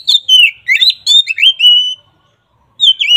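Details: Ngeplong song of an oriental magpie-robin (kacer), a lure for a bird that will not sing: quick chain of whistled notes and short rasps, a long drawn whistle, silence, then singing resumes.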